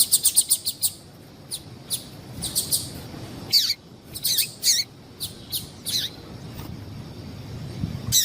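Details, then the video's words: Female yellow-bellied seedeater piping to excite males: a fast opening run of about five high chirps, then irregular sharp tweets and a few downslurred notes, steady light background noise. "Melhor Piado de Fêmea de Papa capim Para Esquentar Papa capim"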